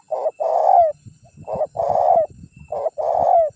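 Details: A prized, vocal spotted dove used for luring wild birds gives three quick phrases, each a short coo followed by a longer, rich, throaty note that slightly falls at its end. Light clicking can be heard between phrases.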